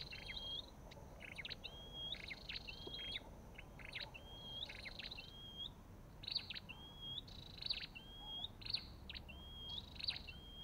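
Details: Repeated calls of an olive-backed tailorbird: short chipping notes and thin high whistles that bend down, then flatten. The phrases come about a dozen times in steady succession against a quiet, low background noise.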